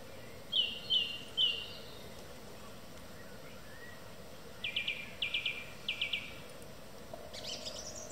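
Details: Song thrush in evening song, with a ringing whistled phrase repeated three times, a quiet gap, then a dry, rapid trilled motif repeated three times, ending in a higher descending flourish, over a low steady rumble.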